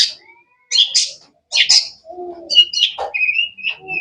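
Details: Long-tailed shrike (cendet) in sharp, varied song: harsh buzzy chirps separated by short silences, then a quicker mix of whistled slurs and clipped notes toward the end.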